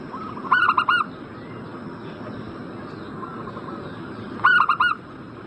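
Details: Perkutut (zebra dove) prompting call for a bird in breeding condition: two brisk bursts of three or four clipped coos, four seconds apart, with a quieter dove cooing in between.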